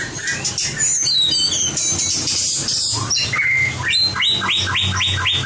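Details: White-rumped shama competition song, a training recording: dense high twittering at first, then a flat whistle and a series of five or six repeated rising, hook-shaped notes, with low hum underneath.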